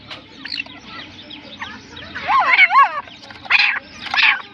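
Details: Soft scattered notes at first, then loud partridge (teetar) calls: a harsh, wavering double phrase, followed by two more strident rasping bursts.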